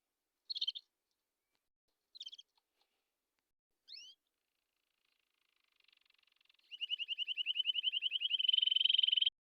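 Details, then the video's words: ['Canary delivering three isolated sharp chirps spaced about one and a half seconds apart, then after a silence a rising, accelerating rolled trill that grows louder toward the close.'] "If the canary does not tweet like this, then let it go إن لم يغرد طائر الكناري مثل هذه تغريدة أطلقه"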